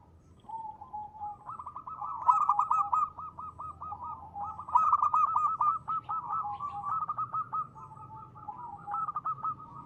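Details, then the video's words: Crisp ngristal song of local zebra doves, used as a lure: dense, overlapping runs of rapid cooing notes, with lower and higher voices interweaving almost without pause for ten seconds. "perkutut lokal gacor.suara ngristal ampuh buat pancingan."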